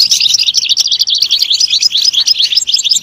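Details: Goldfinch singing in a fast, unbroken twitter of tinkling, chattering notes, high and bright, with quick trills and slurred phrases packed together over a few seconds.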